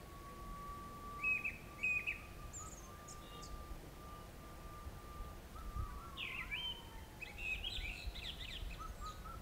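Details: Grey-winged blackbird in western Himalayan forest during the summer monsoon, among flowering torch lilies. Two short twittering notes come first, then a longer warbling phrase of rising and falling whistles. A steady drawn-out tone runs underneath much of it.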